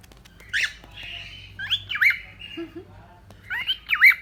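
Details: Cockatiel, a pet bird, giving scattered squeaky, looping chirps with short warbled whistles between them, over a low indoor hum and faint voices.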